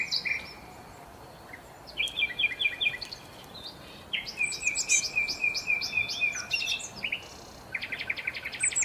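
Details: A flock of sparrows eating leftover breakfast food on restaurant tables at a hotel in Marsa Alam, Egypt; busy overlapping chirps, short repeated bursts of sharp high notes from several birds, and faint background noise.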